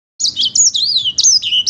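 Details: Sanger paud singing vigorously: a brief burst of high, sweet whistled notes, alternating sharp upslurred and downslurred phrases with short rapid twitters, all delivered without pause against a quiet background.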